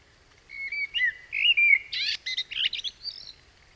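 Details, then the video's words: Common blackbird song, one of four blackbirds at different stages of song learning; this one has already mastered the technique. It sings a mellow, fluted whistled phrase, then ends with a rush of high, squeaky twittering notes, against a quiet background. "Vamos a escuchar una secuencia de 4 mirlos distintos en 4 momentos diferentes de su aprendizaje del canto. Eso es uno que ya domina la técnica."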